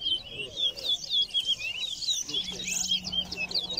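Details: Towa towa singing during a bird singing race at Lusignan Ground, Guyana; fast, sweet high warbled phrases of twisting notes repeated without pause, with men counting aloud in the background.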